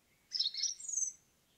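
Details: Single bright phrase from an indigo bunting in a forest, under a second long: a fast tumble of high, sweet chirped notes rising into a thin, sustained final note, against quiet background.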